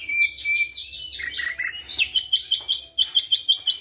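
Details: White-eyed ashy drongo, energetic and steady in song, weaving in flycatcher imitation: a fast series of descending whistled strokes, twisting slurs, then evenly spaced sharp chips about five per second.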